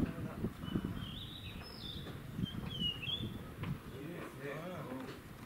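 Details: Blue rock thrush at Shuri Castle, Okinawa, 16 May 2019, delivering a warbling run of clear whistled phrases that rise and fall, partly masked by steady outdoor noise and low rumbling.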